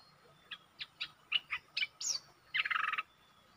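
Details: Streak-eared bulbul singing on 13 February 2023, quieter and against a low hiss: a string of separate sharp chirps, then a fast rattling, bubbly burst at the end.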